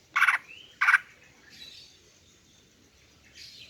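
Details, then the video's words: Female greater green leafbird calling to lure males: two loud harsh rasping bursts about half a second apart, joined by a soft rising whistle, then fainter buzzy notes and a quiet hiss. "Memikat dan Memancing Burung Cucak Ijo Jantan dengan Suara Betina Ini"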